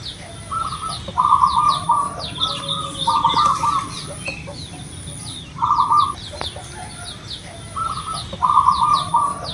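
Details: Zebra dove of a local Indonesian strain, singing vigorously as a lure to get captive doves singing. Burry, trilled coo bursts come in loose series of two or three, with scattered high twittering from other birds.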